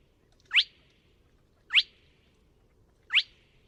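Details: Three evenly spaced, abrupt rising whistles of a Spotted crake, roughly one every 1.3 seconds, found at Neda in A Coruña on 24 March 2017; steady faint low background noise.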